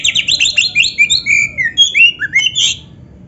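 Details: Oriental magpie-robin (kacer) in a full-filler training song, rapid run of varied whistled notes, some rising and sweeping, some buzzy, pulsing about four times a second before fading into a faint low background hum.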